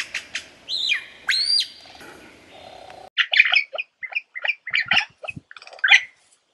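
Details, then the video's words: Lyrebird song: several sharp clicks and two loud whistles that sweep upward, then a fast run of rattling, chattering notes packed closely together. "Lyrebird sound"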